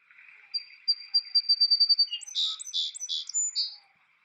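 A Song Sparrow sings a high note repeated faster and faster on one pitch, then three harsh buzzy bursts. Soft steady hiss underneath.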